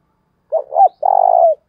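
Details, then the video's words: Spotted dove used as a decoy, calling thúc bổi to lure wild doves. One phrase: a pair of short bent hoots running into a long, evenly trilled coo that fades at the end. "tiếng cu mồi thúc bổi// tiếng chim cu gáy gọi mồi"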